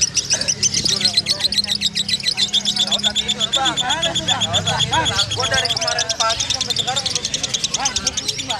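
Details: Caged lovebird keeping up its ngekek song even while being picked up: a long, unbroken stream of rapid, high, chattering trills and squeaky notes with no pauses, with voices in the background.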